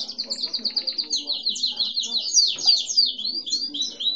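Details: Pet canary of no defined breed, grey and white (Lavanderia) colouring, recorded while a papa-capim seedeater nearby was singing a lot; fast, high, rolling trill of short repeated notes, about three per second, with a faint low hum beneath.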